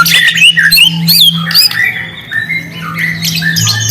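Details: White-rumped shama lure song meant to provoke a reply from quiet birds: quick, varied whistles, harsh squawky notes and sliding phrases packed closely together, with a constant low hum underneath.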